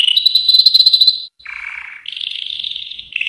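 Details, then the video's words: Yellow canary singing a rapid high trill, then after a short gap a lower rolling phrase and a buzzy higher passage, closing on another trill. "Chant canari jaune magnifique.Magnífico canto del canario amarillo. Muhteşem sarı kanarya şarkısı."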